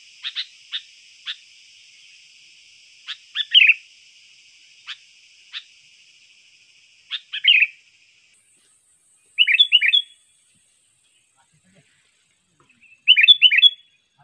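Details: Sooty-headed bulbul song for luring birds: scattered sharp ticks and clicks with a faint hum, then short, quick, bubbly three-note phrases spaced a few seconds apart on a silent background.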